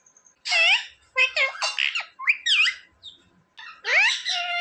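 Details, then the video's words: Talking pet parrot indoors uttering several harsh, speech-like syllable bursts with bent harmonic tones, separated by brief pauses. "Parrot talking mummy mithu ko roti do"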